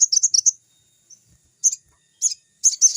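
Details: Crimson sunbird (sogon) singing actively, used as a lure recording for newly caught young birds: rapid bursts of very high, thin, sharp chirps in quick clusters, separated by short pauses, over a steady faint high-pitched whine.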